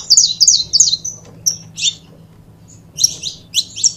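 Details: Two saffron finches, a pair, used to stimulate other birds: a fast run of bright, high chip notes, a short lull, then further grouped sharp chirps, with a soft low hum beneath.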